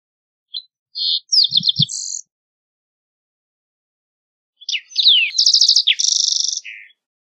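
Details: Two high green-tailed towhee song phrases: the first a string of quick chips and a short trill, the second slurred whistles into a long buzzy trill; a couple of low knocks are heard.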